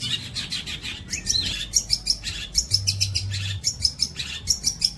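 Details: Long-tailed shrike singing training material for other songbirds: rapid chattering bursts with thin, sharp high whistled notes mixed in, steady pulses throughout, and a faint low hum underneath.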